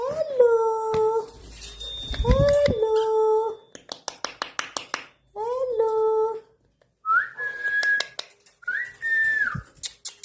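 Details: Indian ringneck parrot indoors, giving flat, buzzy voice-like phrases with strong overtones, then two clear whistled notes that rise and hold, broken by sharp clicks and short pauses.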